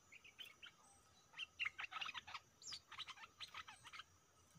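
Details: Stripe-throated bulbul used as a decoy against fierce captured birds: a steady series of short, bright chirps and bubbly notes repeated rapidly, moderately distant, over low background noise.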